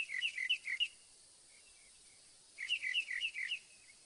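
Northern mockingbird singing rapid bursts of varied, high chirps and warbles, each phrase about a second long, separated by a pause with soft faint notes.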